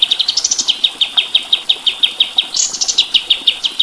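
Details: Kapas tembak white-eye singing for a masteran: a steady string of clipped high chirps, about three a second, opened and interrupted by quick rising flourishes of sharper notes.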